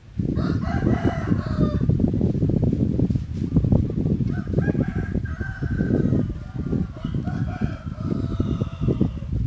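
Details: Yellow hybrid junglefowl crowing twice, a short rough phrase near the start and a longer drawn-out crow trailing off, over constant loud low-pitched rumble and handling noise.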